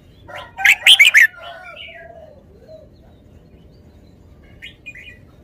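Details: Red-whiskered bulbul delivering a loud, quick four-note burst early on, trailing into softer slurred whistles and a few faint chirps later.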